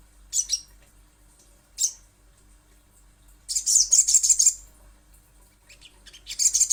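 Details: Little spiderhunter lure call: isolated high chips, then a one-second burst of fast shrill notes, with more brief chip clusters afterward.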